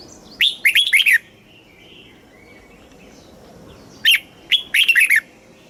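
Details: Red-whiskered bulbul song, southern master style from Thailand, for stimulating caged birds and teaching young birds: a bubbly warbled phrase, about three seconds of quiet, then the phrase repeated with a short lead note.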